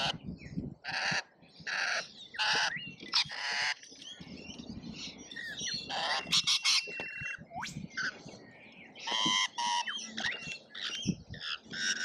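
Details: Feeding frenzy of lorikeets at an Australian feeder: loud, harsh, rasping squawks in bursts of about half a second, mixed with shriller chatter and a few whistled notes from the crowded flock.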